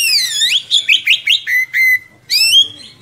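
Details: Oriental magpie-robin in full song, a long-rolling singer used as a tutor for young birds: a swooping falling whistle, then a quick series of rising chirps and a flat steady note, ending in a bright upward slur.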